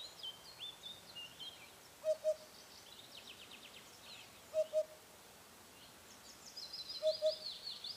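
Eurasian hoopoe gives soft, low hollow double hoots, 'oop-oop', repeated about every two and a half seconds, while other small birds chirp and twitter high in the background.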